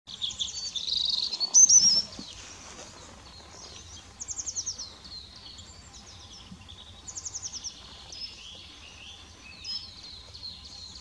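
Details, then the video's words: Eurasian penduline tit recorded on 28 March 2017 at Thürer Wiesen in the Eifel, Germany: high, thin, rapid trilled bursts, each under a second, recurring every couple of seconds, with a louder whistled note early on and faint low background hum. "Beutelmeise. Eurasian Peduline Tit. Remiz pendulinus."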